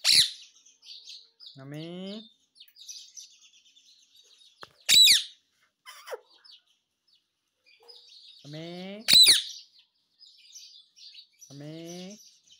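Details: Pet parrot at home, making short voice-like phrases that alternate with a few loud, harsh, high screeches spaced several seconds apart, with soft chatter between them.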